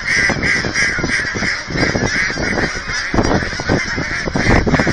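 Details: Feeding time for a massive goose flock at the Hereford, Texas aquatic center brings loud, clamorous honking, harsh overlapping calls rising and falling in bursts.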